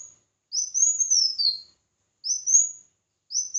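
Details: Red-whiskered bulbul singing competitively: a long rising-and-falling whistled phrase with a lower tail note, then two shorter upward-sweeping whistles, clean background.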